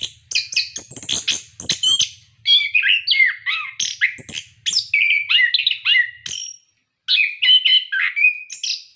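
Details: Orange-headed thrush in full song, used to prompt captive birds to sing: long varied series of sharp chirps, warbled whistles and buzzy notes in phrases, one brief silent pause near the end.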